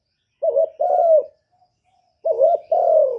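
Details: Two matching coo phrases from a spotted dove, recorded clearly in 2023, each a bubbling short coo followed by a drawn-out, softly descending note.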